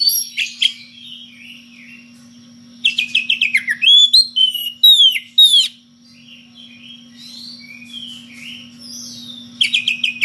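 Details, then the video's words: Magpie-robin challenging a rival: scattered bright notes, then a dense burst of sharp clicks and looping whistles repeated almost twice a second, a quieter warbling stretch, and a final crisp flurry, over a faint hum. "SUARA KACER NGEPLONG MEMANGGIL LAWAN DENGAN VARIASI SUARA ANEH"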